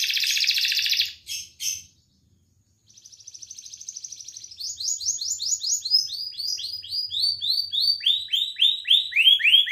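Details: A Belgian canary sings, meant to stimulate other males and females for breeding: a high, buzzy rolling trill, a pause, then a fine rapid trill into bright slurred notes about four times a second.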